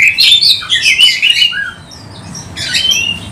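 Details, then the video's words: Kept Oriental magpie-robin singing actively with tail spread, its song used to provoke other magpie-robins: loud, rich whistled phrases, rising and falling sweeps and bright trills, a short pause, then a new burst in a small room. "KACER GACOR buka ekor bongkar kualitas cocok untuk pancing kacer Andalan Anda"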